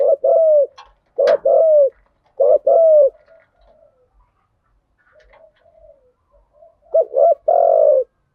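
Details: Lure calls of spotted doves, cock and hen, used to draw in birds: paired low, hollow coos, a brief note followed by a longer slurred one, with quiet gaps and soft murmurs between phrases.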